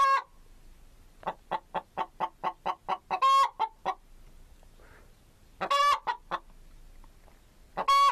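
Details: Chicken giving a rapid series of evenly spaced clucks, about four per second, broken by several loud, harsh, strained squawks at the start, middle and end.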